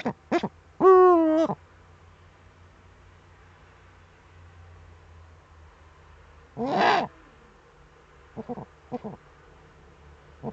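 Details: Eurasian eagle-owl at a nest webcam in the Eifel, Germany, 23 February 2015 at 19:00, as the male brings the female a prey gift; a loud, wavering, harmonic call lasting about half a second, then scattered short rough bursts and clicks.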